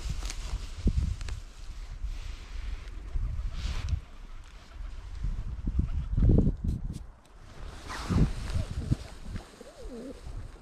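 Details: A flock of pigeons being fed bread near a school on a frosty winter morning, filmed on a GoPro Hero 8; low, muffled cooing bursts come in short groups among pecking taps, rustling and steady wind noise.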